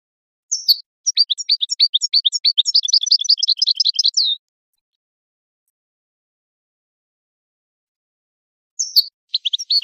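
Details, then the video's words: Goldfinch song from a tape for teaching chicks and songbirds: a rapid high twittering run of chirps lasting about four seconds, then silence, then a new twittering phrase begins near the end. No background noise. "Analysis of goldfinch songs and their performance in education"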